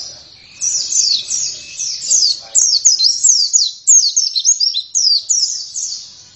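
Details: Oriental white-eye in rapid, continuous high twittering song of sharp, descending chirps run together in quick bursts. A faint steady thin whistle sounds underneath early on.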